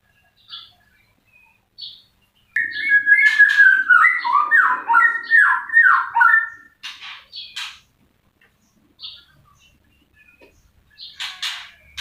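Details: White-rumped shama song: short separate notes, then a loud sustained run of slurred whistled phrases, followed by scattered sharp clicks and brief notes after a pause.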